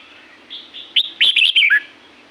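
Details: A single phrase of a red-whiskered bulbul recorded in the Thai La-u forest: a soft whistle, then a quick run of bright slurred notes ending in a falling whistle.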